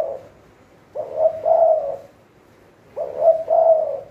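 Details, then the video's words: Decoy spotted dove kept for trapping wild doves, calling with paired low, mellow coos in phrases about a second long, spaced about two seconds apart. "เสียงนกเขาใหญ่ เจ้ามดแดง นกต่อมือซ้าย"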